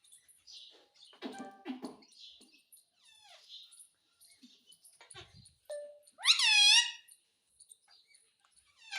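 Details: Talking pet parrot begging for roti: scattered soft mumbled syllables and clicks, then one loud, drawn-out, downward-sliding squawk near the middle, followed by quieter chatter.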